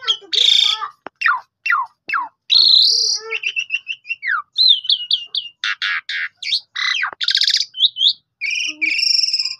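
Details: Asian pied starling in varied song, captured by phone to coax other silent starlings into song: harsh buzzy bursts, sharp falling whistles, bubbling chatters and clear high whistled notes follow one another with brief gaps.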